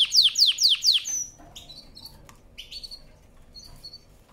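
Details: A canary singing a powerful song for training: three sweeping downward-slurred notes in quick succession, followed by softer scattered whistled notes and brief upslurs.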